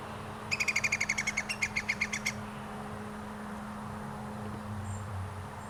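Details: Iberian Green Woodpecker in 2022 calling a clear, rapid run of roughly fifteen bright, ringing notes over two seconds, steady in pitch and slightly slowing, then a low steady hum.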